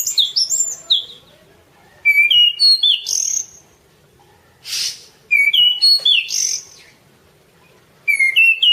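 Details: Masteran song of the anis cendana, orange-banded thrush: clear whistled phrases of stepped notes, repeated after pauses of about one to two seconds, with one breathy hiss between them.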